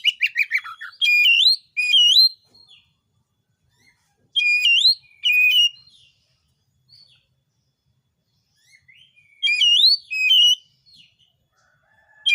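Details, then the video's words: Oriental magpie-robin in energetic full song, used to provoke other magpie-robins into singing back: loud, clear whistled phrases with rapid up-and-down notes, delivered in three short bursts about four seconds apart, separated by near silence, no other sounds. "tidak lebih dari 1menit Kacer manapun BAKALAN AUTOPLAY NARUNG burung kacer gacor"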